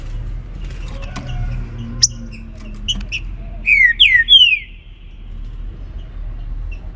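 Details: Trinca-ferro, or green-winged saltator, singing its baruc style song in the morning: a few scattered sharp chips followed by three quick, loud, downward-sliding whistles, over steady low background noise.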